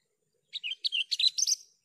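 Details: Javan bush lark tutor recording: a short, lively phrase of six or seven warbled, slurred notes run closely together, rising slightly in pitch toward the end.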